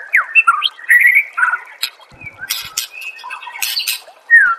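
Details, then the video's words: White-rumped shama from a master recording for training songbirds: sweeping whistles and slurred notes, then harsh grating bursts, ending with a clear downslurred whistle. "Masteran murai AMPUH yang di pakai semua burung juara PASTI CEPAT GACOR DAN NGEPLONG"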